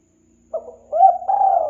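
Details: Spotted dove lure recording, the start of a cooing phrase: a brief soft note, a pause, then a rising hollow coo that flows into a long, level, mellow coo. The setting is quiet.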